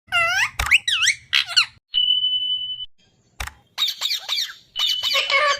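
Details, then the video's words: A parrot gives bursts of rasping, sliding squawks, then a long steady whistled note like a beep, followed by more chattering squeaks and whistles. "Natural parrot funny Sound"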